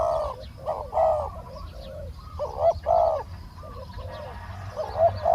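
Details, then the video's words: Spotted dove used as a decoy in a bird-luring session to capture a wild dove with a small voice that is slow to come down; low hollow cooing phrases repeat about every second, several birds overlapping, with faint background chirps. "เสียงนกเขาใหญ่ ต่อสด ต่อ นกเขาใหญ่"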